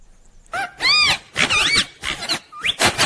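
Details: Playful pet Indian ringneck parrot making harsh, raspy screeches mixed with brief whistled, wavering notes in quick succession, about five bursts in three seconds.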